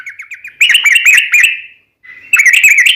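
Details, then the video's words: Sooty-headed bulbul ('trucukan') in lively song: soft rapid lead-in notes, then loud slurred bubbly whistles. After a brief gap, a quieter note is followed by another fast chattering burst. "SUARA trucukan gacor ropel panjang"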